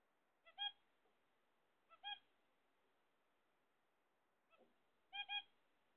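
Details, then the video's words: Zebra finches waiting for eggs give short nasal, trumpet-like calls in pairs, each a faint pickup note and then a louder honk. Four such pairs come spaced one to three seconds apart in an otherwise quiet room. "My Zebra Finchs"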